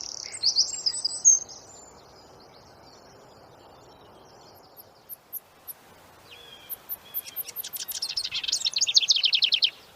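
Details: Rapid-fire wren training song: an opening high trill, a long pause with scattered faint ticks, then a few short whistles building into an accelerating, dense trill of high repeated notes.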